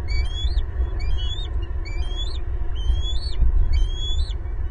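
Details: Loud family chorus of bald eagles, parents and two eaglets together at their Southwest Florida nest tree on 18 April 2022, nest camera: five shrill piping chirps, each rising then falling, evenly spaced about a second apart, with low background rumble.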